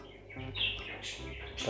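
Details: A pet male budgerigar gives short, scratchy chirps and warbled notes in quick bursts, courtship love sounds to attract his mate near a breeding box.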